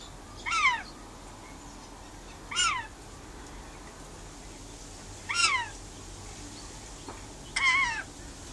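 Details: Pet rainbow lorikeet outdoors on a verandah, calling to wild birds outside: four loud harsh downward-sweeping screeches spaced about two to three seconds apart over a quiet background.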